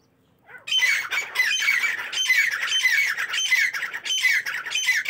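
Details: Partridges call in the morning: a continuous, dense, harsh and rasping chatter of overlapping squawks that starts abruptly and stays loud.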